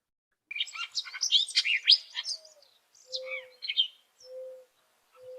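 Hooded Oriole giving a quick, jumbled run of chips, chirps and short trills over about three seconds. A dove's low, steady coos sound in the background.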